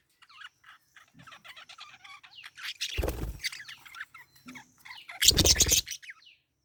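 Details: Parakeet twittering runs steadily as rapid, high chirps and squeaky chatter, twice interrupted by loud, broad rustling bursts like fluttering wings.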